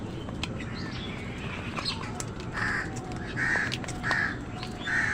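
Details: Crow cawing during a squabble with wild birds over food: four hoarse, rasping caws in the second half, spaced roughly every three-quarters of a second, with scattered faint chirps and clicks before them.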